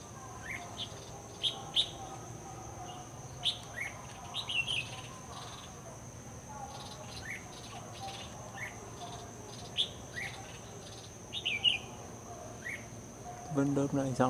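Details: A red-whiskered bulbul used as a decoy for trapping wild bulbuls sings in the late afternoon. Scattered quick upslurred chirps and brief warbled phrases come irregularly, over a steady shrill insect hum, with a louder rustle near the end.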